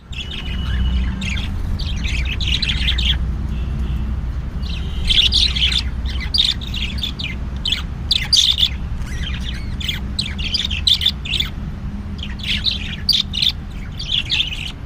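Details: Several birds chirping: bursts of bright, squeaky chirps and twittering notes in quick clusters, over a constant low rumbling background hum.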